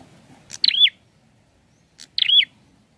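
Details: Prinia, sounding full and lively, gives two short, strongly modulated chirps that rise, then fall, about 1.5 seconds apart over a faint low background rumble.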